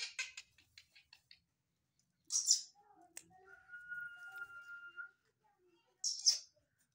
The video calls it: black francolin kala teetar